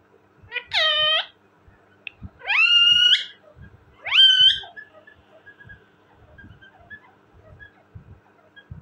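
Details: Talking parrot giving three loud, drawn-out harmonic calls that sweep upward and level off, each lasting about half a second, followed by quiet with faint soft clicks.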